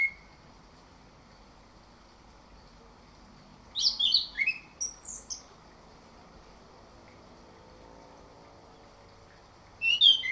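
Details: Orange-headed thrush used as morning singing bait: brief clusters of sharp, high, slurred notes and whistles, one near the start, a longer burst midway and another at the end, with quiet gaps between.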